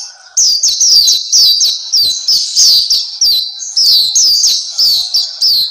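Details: A tutor recording of Pleci Papua, the Black-capped white-eye: continuous high, sweet twittering made of quick falling whistles strung closely together, steady and loud throughout.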